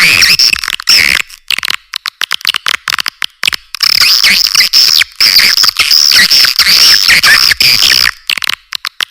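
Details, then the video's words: Swiftlet lure call used to draw a response from birds: rapid runs of sharp, high buzzy chirps and twittering trills in long continuous bursts, separated by brief gaps, repeated steadily throughout. "SUARA PANGGIL WALET TERBAIK||SUARA WALET RESPON"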